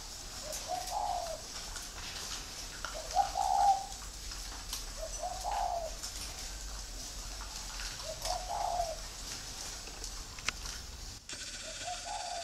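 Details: Free-range breeding spotted doves kept at a bird farm in Ba Vì, Hanoi, Vietnam; soft, low cooing phrases repeat roughly every two to three seconds over steady background hiss and scattered clicks.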